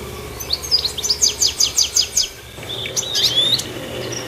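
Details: Goldfinch at the top of a tree: a quick run of about ten evenly spaced high chirps, then a tumbling twittered phrase with thin whistled notes.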